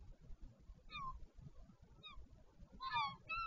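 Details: At Taiaroa Head near Dunedin, New Zealand, a wild northern royal albatross parent changeover at the nest, 14 February 2019: short, nasal, falling harmonic cries, one single, then a louder pair near the end, over gusty wind.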